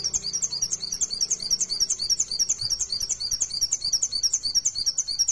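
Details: Steady run of quick high twittering notes from a mountain white-eye, meant to prompt other birds to sing, repeated about three times a second with even rhythm.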